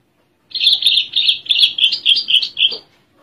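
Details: Captive Javan spotted branjangan (Horsfield's bushlark) sitting calmly while singing: a fast run of about eight buzzy, rasping high notes in quick succession over two seconds, ending with a lower note, on a quiet background.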